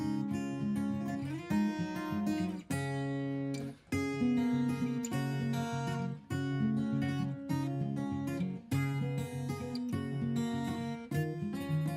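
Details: Acoustic guitar strumming and plucked chords fill the whole recording, with no animal voices anywhere.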